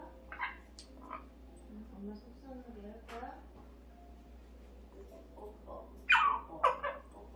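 A pet parrot gives two loud, harsh squawks near the end, with a few shorter raspy notes earlier, over a person talking softly indoors.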